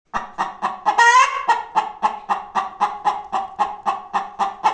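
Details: Free-range chicken giving a fast run of short clucks, about four per second, each with a bright harmonic core, broken near the start by one longer, louder squawking note before the steady clucking resumes.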